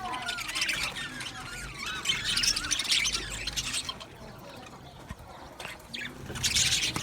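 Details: Male budgerigars in an aviary colony, 8 December 2025, chirping: busy overlapping warbles, squeaks and twittering chatter from many birds, loudest in bursts, with background rustling.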